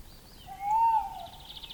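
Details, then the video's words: Tawny owl singing while perched in the open: a single drawn-out hoot that rises slightly, then holds level for about a second. A small bird's rapid high trills sound in the background. "Песня серой неясыти"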